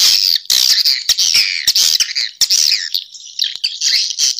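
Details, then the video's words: Recording of swiftlets, type Sp M567: loud, choppy high chirps and trills in quick bursts, some notes swooping up and down, separated by sharp clicks. "Suara Burung Walet Sp M567 Suara Burung Walet"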